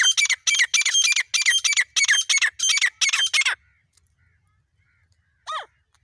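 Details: Female black francolin from Pakistan, recorded in a hunting context: a loud run of about eight harsh, rasping, broadband notes in quick succession over three and a half seconds, then silence and one final grating note.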